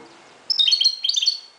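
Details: Dawn song of a Moroccan goldfinch: two close bursts of sharp, high twittering notes with a brief break between them, against faint background hiss.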